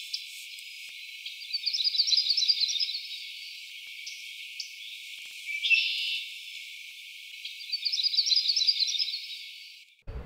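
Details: Yellow-rumped Warbler singing on a morning in Prospect Park, near a lake edged with Phragmites and bushes: two loose, warbling trills about six seconds apart, each lasting about a second, with scattered sharp chip notes between them.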